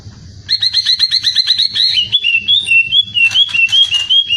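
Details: Greater green leafbird delivering dense, magpie-robin-like song as a training recording for songbirds: a fast string of paired, rising chirps, then a wavering, bubbling run of whistled notes.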